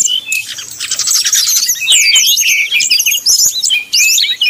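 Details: Brown-chested jungle flycatcher in flute-like 'nyuling' song style, used as a lure to provoke rival birds: rapid high whistled notes and sweeping trills, dense and continuous, with short pauses near the start and end.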